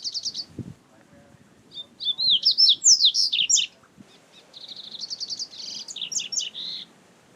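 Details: Wild double-collared seedeater: a short buzzy trill, then a loud run of looping high whistles, followed by a longer series of fast repeated notes ending in twisting slurs.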